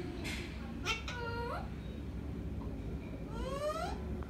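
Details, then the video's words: Green parrot speaking on its own indoors: a few short, speech-like, warbling sounds with rising slurs, then a longer upward-sliding nasal phrase near the end, over a steady low hum. "The Big Buddy speaking alone | Parrot"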